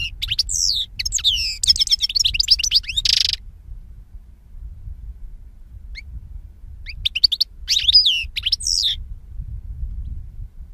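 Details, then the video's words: European goldfinch song from 2016: a fast twittering phrase with trills and a buzzy note, a pause, then short chirps and another twittered burst over a steady low rumble of background noise. "Cante De Jilguero"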